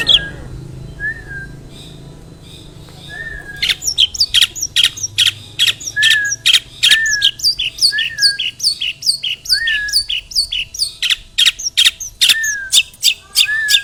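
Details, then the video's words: After a few quiet slurred whistles, a long-tailed shrike bursts into a long rapid series of harsh rasping notes and twittering chirps, over two per second, used as a lure to make other shrikes sing. "CENDET ISIAN GANAS Pancingan Ampuh Burung Trotol Gacor"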